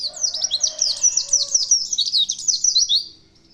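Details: A white-eye delivers a loud, continuous torrent of high, rapidly alternating chirps and trills for about three seconds, then falls silent.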